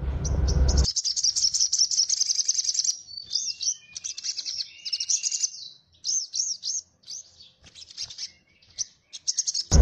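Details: A Javan grey-throated white-eye, a kept songbird used as a song tutor for other cagebirds, sings a rapid, high, twittering chatter of looping notes and quick slurred phrases, with brief bursts of noise at the start and end.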